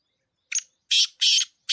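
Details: Female black francolin call, said to excite males: a short harsh note followed by two longer rasping, buzzy bursts in quick succession, then the start of another, with silence between.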